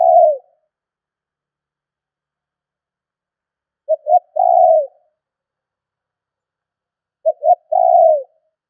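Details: Lure call of a spotted dove, meant to stir up wild doves: two quick soft coos followed by a long, slightly falling hoarse coo, phrases spaced three to four seconds apart with nothing else audible.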